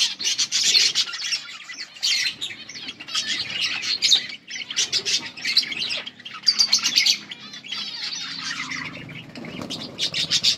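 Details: Colourful budgies chatter continuously, a busy wash of buzzy warbles and scratchy chirps in bursts about a second long, separated by short quiet gaps, with wing flutters.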